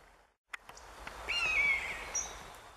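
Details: A Common Buzzard, one of three flying over a pine forest in Northern Germany on an April day in 2015, gives a single loud, plaintive mew that slides downward, after a few sharp clicks.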